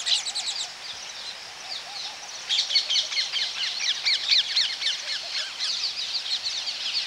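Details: Close-up Baya weaver calls at a colony: dense, continuous chattering of many rapid, high chirps that grows busier halfway through.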